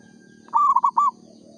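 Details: One clear cooing phrase from an actively singing local zebra dove, three or four fast, evenly pitched rolled notes, heard against a quiet low hum.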